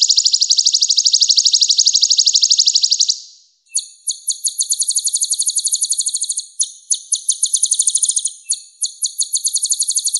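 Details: Purple-throated sunbird, called kolibri ninja in East Java, singing a shrill, fast trill for three seconds, then after a short pause a series of high, rattling trilled phrases broken by brief gaps.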